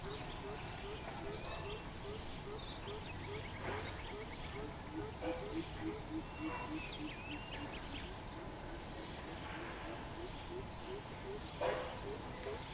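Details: Greater coucal recorded on 13 June 2020: a long run of deep, hollow hooting notes repeated steadily, about two or three per second, continuing through the recording, with scattered higher chirps from other birds and a constant background hum.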